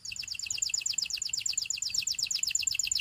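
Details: Canary singing for training practice: one continuous, very fast high trill of repeated buzzy notes, steady in pitch for the full three seconds.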